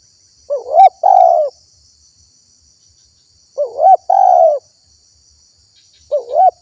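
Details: Lure recording of a spotted dove to attract wild birds: two-part coos, a quick rising warble then a drawn-out mellow coo, repeated about every three seconds over a constant high hiss.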